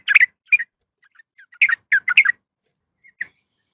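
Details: Calling by a female yellow-vented bulbul seeking a male: scattered short, throaty chirps, some doubled or tripled, separated by quiet pauses.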